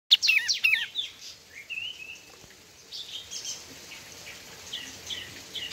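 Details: White-shouldered triller singing actively: a quick run of sharp, high whistled notes that rise and fall, then a longer wavering whistle, followed by faint, scattered high chirps over steady background hiss.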